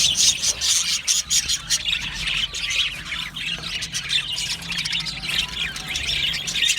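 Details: Budgerigars chirping and squawking: harsh, high squeaks mixed into fast, continuous twittering, loudest at the start and the end.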